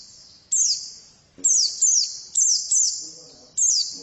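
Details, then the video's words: Female white-eye repeating bright, high falling chirps about once a second, each with a long reverberating tail, faint low murmuring in the background. "Pleci betina sangat bagus suaranya"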